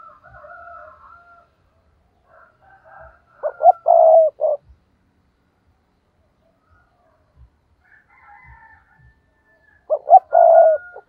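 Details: Spotted dove acting as a decoy to lure wild rivals, delivering two full phrases roughly six seconds apart, each of short choppy notes ending in a long mellow coo, while fainter higher bird calls sound in the background.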